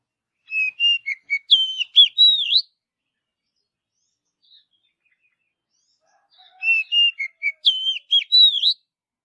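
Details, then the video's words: Wild Oriental magpie-robin in forest giving two matching song phrases about six seconds apart, each a run of clear whistles stepping down, then higher looping, rising notes, with silence between. "Kicauan Kacer Alami Di Hutan"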